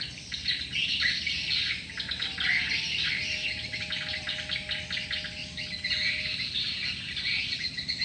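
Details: Many swiftlets chattering together in a lure-call recording: rapid, overlapping high chirps and buzzy twitters that swell and fade in waves, with a faint thin tonal whine beneath and steady background hum.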